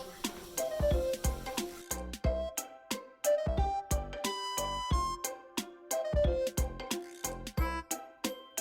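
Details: Plucked and bowed string music plays with a steady rhythm of repeated notes and strong low bass beats; no animal calls are heard.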